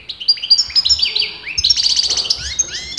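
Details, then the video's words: European goldfinch of disputed sex, male or female, in steady song: quick series of high upslurred notes, then dense buzzy trilling and sharp twitters packed into three seconds. "غناء متواصل لمقنين"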